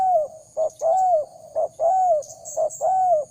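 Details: Spotted dove lure call for training decoys: clean paired notes, a short clipped coo then a long drawn, slightly falling coo, repeated roughly each second, with a faint high twitter in the background.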